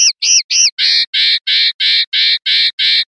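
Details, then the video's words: Linnet 'pardillo limpio' song from a Spanish silvestrismo CD, 2025/2026: three upward-hooked notes, then a series of broad, even, slightly nasal notes repeated about three times a second. "NUEVO CD PARDILLO LIMPIO 2025/2026"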